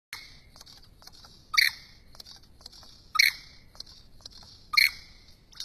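A lyrebird gives loud, sharp bursts about every second and a half over a steady high whistling hum, with nothing else clearly heard.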